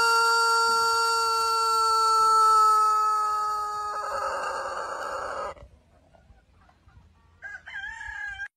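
A rooster gives one long, drawn-out crow that holds steady for about five seconds before breaking off roughly at the end, followed by a short clucking sound.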